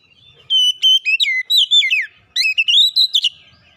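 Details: Oriental magpie-robin singing a lure song meant to get an unwilling bird in full voice; two vigorous phrases of mixed whistles, downward slurs and rapid sharp chips, the second climbing in pitch.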